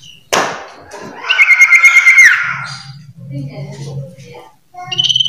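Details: Common iora (sirtu) in varied song. A sharp click is followed by a long, rapidly pulsing whistle that drops at its close, then scattered soft notes and the start of another high whistle, over faint low music.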